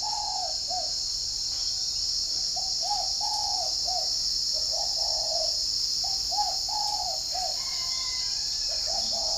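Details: Spotted doves from a dove-keeping garden in Ba Vì, Hanoi, northern Vietnam, calling in the morning. Several birds give arched cooing notes that are repeated and overlap one another, over a steady high insect-like hiss.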